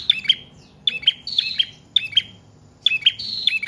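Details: Bright chirping song of a prinia, locally prenjak trotol or paot, used to lure and to tutor other cage birds; paired high notes delivered in quick phrases, separated by short pauses.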